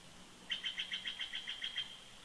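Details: Bald eagle pair at the nest at Big Bear Lake, California, in winter, giving a fairly faint series of about ten high, squeaky piping notes at a steady quick pace.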